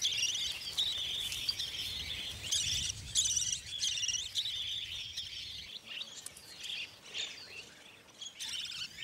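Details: Blind, naked Budgerigar chicks in a tree hollow along the gorges of Australia's central ranges, fed by their mother, give a steady stream of high, scratchy chirps and chatter, almost nonstop, over soft hiss.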